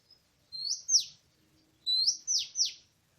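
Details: Oriental magpie-robin (Copsychus saularis) in a forest, 24 March 2017, giving loud, clear rising whistles that swoop sharply down, two then three notes in quick bursts; otherwise quiet.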